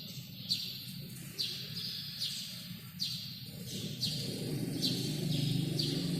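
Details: Sparrow calling inside a badminton hall: bright, high chirps repeated steadily about once per second, each with a quick downward sweep and a lingering reverberant tail, above low rumbling room noise that grows toward the end.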